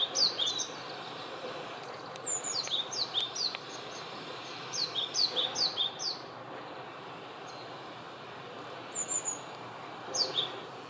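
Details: Male Japanese tit visiting a mandarin orange orchard, singing bright, high two-note phrases, each swept quickly downward and repeated in short bursts with pauses, over a soft steady hiss.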